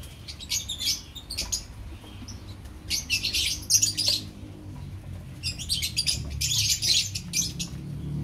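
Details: Opaline lovebirds calling together as a colony, rapid high squeaks and twittering chirps in irregular clusters, with a faint low droning hum beneath.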